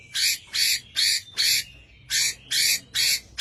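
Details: White-rumped shama giving a harsh, raspy noisy note repeated steadily about twice a second, each burst broad and scratchy.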